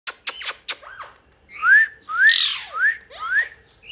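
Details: Parrot giving quick dry clicks, then four squawky, upward-bending tonal calls, each under half a second, with rich overtones and short gaps between them; quiet indoor background.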